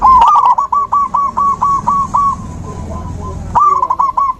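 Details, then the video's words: A zebra dove sings, used as natural therapy to bring back a silent dove's song: a long run of about a dozen evenly repeated mellow coo notes, fading, then another loud quick phrase. "Terapi alam perkutut macet mogok bunyi"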